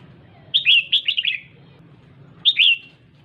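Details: Red-whiskered bulbul female rousing a male with sharp chattering chirps, a tight burst of five or six notes, a pause of about a second, then two more clipped chirps over a low hum.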